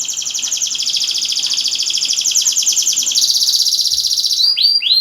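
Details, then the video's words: A vigorously singing canary, a sound used to coax silent canaries into singing: a sustained fast, rolling high trill, shifting pitch midway and ending in quick rising swoops. "BURUNG KENARI GACOR // KENARI MACET LANGSUNG BUNYI"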